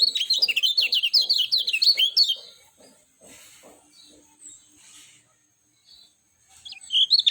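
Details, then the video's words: Lemon-bellied white-eye with a lively, clear song: over two seconds of rapid, high zigzagging notes in close succession, then quiet with faint rustles before a short burst of twittering returns. "SUARA JERNIH ALAMI BIKIN KECIAL KUNING CEPAT RESPON"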